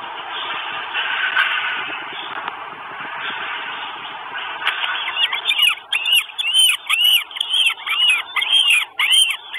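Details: Northern goshawk chicks at a nest in Estonia, filmed by a live nest camera on 2 June 2022. Steady hiss for about five seconds, then loud, repeated high arched squealing notes, roughly two per second, continuing to the end.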